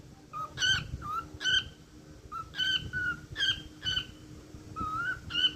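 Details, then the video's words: Pet cockatiel whistling a repeated tune, short clear notes alternating between a lower and higher pitch, with small pauses between phrases and faint background hum. "Cookie cookie #cookiesong"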